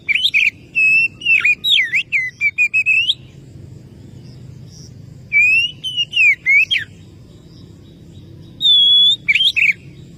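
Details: Oriental magpie-robin calling a rival, singing three phrases of loud sweet whistles separated by pauses: a long run of varied slurred notes, a shorter wavering phrase, then a long steady whistle with quick trailing notes.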